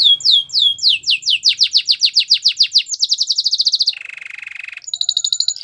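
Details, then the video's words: Belgian canary song, a bird singing for training young canary keepers: quick descending whistled notes run into a fast, even rolled trill, then a higher trill, a lower buzzy roll and a final rapid high trill. "Belgian canary song"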